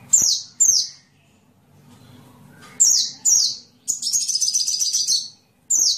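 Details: Sunbird song used to tutor songbirds: sharp, high, down-slurred single notes spaced by gaps, followed by a buzzy rattling chatter of about one and a half seconds.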